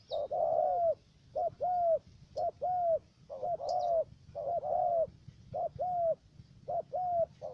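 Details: Spotted dove decoy for trapping in U Minh, Ca Mau, Vietnam, with a three-note call. About ten coos in steady succession, short notes alternating with longer arched ones, with a few faint high chirps in the background.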